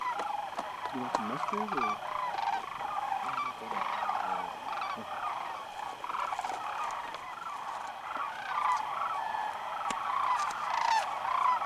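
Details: At Whitewater Draw in southeastern Arizona on January 1, 2012, a midday gathering of migrating sandhill cranes; a softer layered chorus of rolling calls, with a few nearer repeated croaks early on and scattered clicks.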